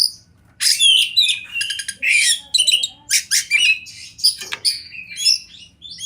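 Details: Champion-class oriental magpie-robin song set in a wild, river and forest ambience. The song is a rich, varied run of high whistles, buzzy rattles and sharp chirps delivered in dense phrases with short breaks.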